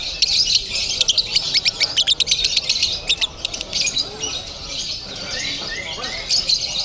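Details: Lovebird in a Bandung singing contest, called 'konslet crazy': a dense burst of shrill, rapid chirps for about three seconds, then softer scattered twitters, with crowd chatter underneath.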